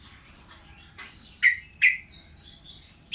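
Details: Wild orange-headed thrush song: a run of sweet whistled slurs and downward-swept notes, with two louder descending phrases in the middle and thin high notes between, over faint low background noise.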